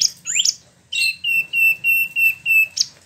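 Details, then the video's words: Imported caged Spot-throated Babbler in Bandung, Indonesia, giving a rising slurred note followed by a steady series of six level whistled notes, about two per half second, ending in a sharp chip. "Wambi Mini / Tieu Mi (Pellorneum albiventre) ngeroll"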